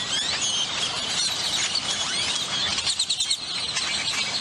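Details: A crowd of grackles in McAllen, Texas, near the Hidalgo International Bridge, makes a dense, unbroken chorus of shrill squeals, rising whistled sweeps and chattering chirps, all overlapping from start to finish.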